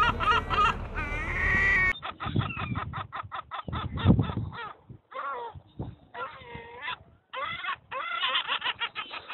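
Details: Gulls calling loudly among cormorants: rapid harmonic notes strung into laughing series, roughly three per second, broken by pauses and a few longer drawn-out cries, with one harsher bray at the start.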